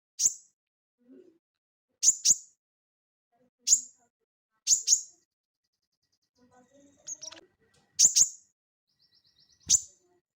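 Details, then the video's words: Crested jay (sogon) material used to train cage birds: sharp, high, clipped chips, mostly single, some in quick pairs, spaced one to two seconds apart, with faint low scraping sounds between. "SOGON GACOR NGELEPER"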